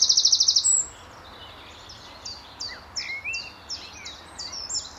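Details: Eurasian wren at Standalone Farm, Letchworth, March 2014, early morning, answering a nearby wren: a brief loud high trill opens, followed by a quieter series of repeated descending high notes and a few softer whistled notes over low rumble.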